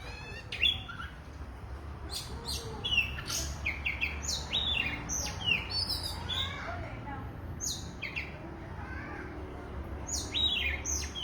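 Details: Oriental magpie-robin (kacer) singing vigorously: a varied run of sharp whistled notes, high clicks and short buzzy phrases, some rising and falling slurs, delivered in quick bursts over a steady low hum.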